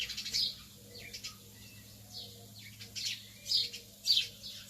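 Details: Lovebirds in the early morning giving scattered high, thin chirps and squeaks in short bursts, with quieter gaps between clusters and a faint steady hum in the background.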